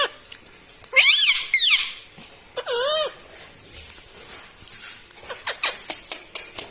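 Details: Talking parrot kept as a pet, known for "mitthu mitthu": two rapid bright harmonic squawks, then a longer U-shaped dipping call, followed by a string of soft ticking clicks.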